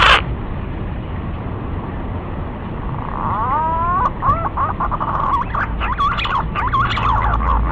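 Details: Green pigeon calls start after a quiet stretch of low hum: a few rising whistles, then a string of looping, warbling whistled notes that carry on to the end.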